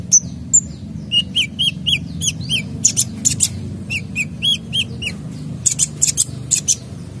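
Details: Active sunbird song used to get other birds singing: a brisk series of clear, upslurred whistled notes alternating with high sharp ticks, delivered steadily over a faint low hum.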